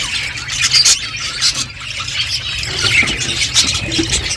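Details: Budgies chirping as they eat, giving a dense stream of high squeaky chirps and warbles with a faint low background hum.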